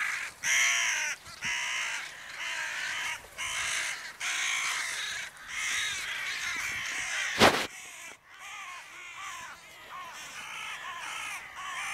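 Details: Several crows on an evening, giving a long run of harsh, harmonic caws in quick bursts, some overlapping, broken by a sharp click near the middle and a softer, lower stretch of calling toward the end.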